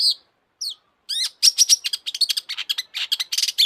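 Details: Long-tailed shrike in vigorous song, used to excite other shrikes: a few separate whistled notes, then a fast, dense chatter of harsh, rasping and chirping notes with thin high whistles woven through.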